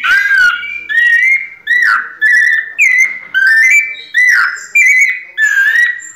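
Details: White-necked thrush, kept bird, in pianado song: a steady run of about ten loud whistled phrases, each a brief slurred note pattern, repeated with short gaps.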